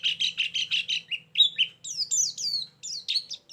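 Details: Very chatty white-eye lure song for bird trapping: five quick buzzy double notes, then bright high whistles sliding downward in a lively, rapid phrase, with a soft low hum behind.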